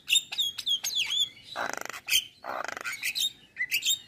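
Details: Male Javan myna singing in the morning, full of fills for tutoring: descending whistles and high chips, two harsh rasping buzzy trills, then short bright notes.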